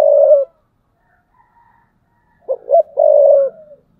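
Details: Spotted dove kept as a decoy bird, cooing in the thúc bổi style: a low, hoarse cooing phrase, then a pause. Next come two short throaty notes and a long sustained coo. Faint distant coos are heard between phrases.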